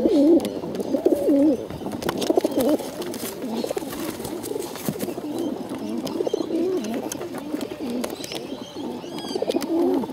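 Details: Bottle-fed pigeons, hungry, beg in steady bursts of wavering, squeaky whining notes, roughly one burst a second, overlapping and uneven, with light clicking noises behind.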